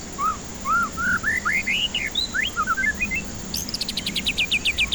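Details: White-rumped shama song played to stir stressed birds that refuse to sing: a sequence of rich looping whistles climbing in pitch, a tumbling descending phrase, then a fast even rattle of about a dozen high ticks.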